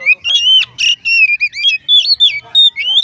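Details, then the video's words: Continuous lively Oriental magpie-robin song: loud whistled notes tumbling one after another, rising and falling with quick slurs and short buzzy touches, roughly a dozen phrases in three seconds, meant to spur other magpie-robins to sing. "dijamin Kacer lain ikut bunyi"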